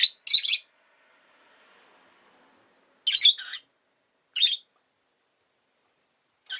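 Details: Rosy-faced lovebird giving loud, harsh, buzzy chirps in spaced bursts about every one to one and a half seconds, with a quiet low murmur between the first calls.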